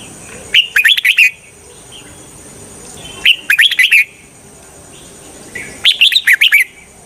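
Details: Red-whiskered bulbul used as a decoy for bird trapping sings three brisk phrases of rapid, bubbling whistled notes, each lasting under a second and spaced about two and a half seconds apart.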